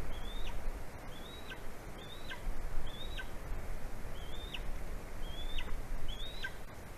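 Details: Wild golden eagle in Latvia calling to its mate before mating on a branch, late morning of 9 February 2020: high thin yelps, each rising then dropping sharply, repeated about every second, seven times, over steady low rumble.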